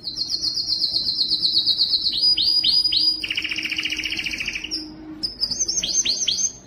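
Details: A Belgian canary sings to stimulate females for breeding: a fast, high rolling trill, then a run of down-slurred whistles, a lower buzzy rattle, and more rapid sweeping notes.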